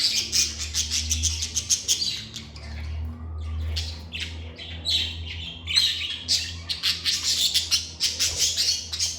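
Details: Lovebirds kept as pets, recorded indoors, giving dense rapid high-pitched chirps and harsh squawks almost without pause, several birds overlapping, over a constant low mechanical hum.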